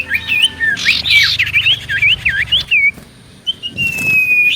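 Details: Common iora song played as a lure to provoke other ioras into answering: a quick series of wavering, up-and-down whistled notes, then a long, steady, thin whistle, with other chirping birds faintly behind.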